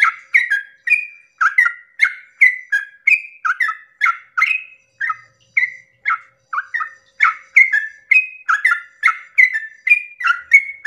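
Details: Yellow-vented bulbul at dawn delivering a long rapid 'ropel' song, used as a lure to rouse other bulbuls into singing: bubbly two-note whistled phrases, falling then rising, repeated nonstop about every half second, with no other sounds.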